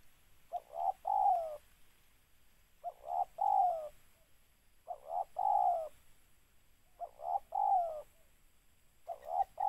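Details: Spotted dove cooing, used as a trapping lure. Five repeated phrases roughly every two and a half seconds, each a quick double note then a drawn-out descending coo. Steady faint background hiss.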